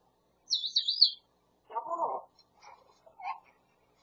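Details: Pet grey parrot speaking the Korean phrase "여보 카톡" (honey, KakaoTalk): a high whistled phrase, then a lower voice-like syllable burst and a few soft murmured sounds in a quiet room.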